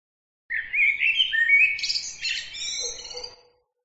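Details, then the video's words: Bird song: one elaborate phrase opening with low whistled notes that climb step by step into high buzzy trills, with a softer lower warble near the end. "bird عصفور"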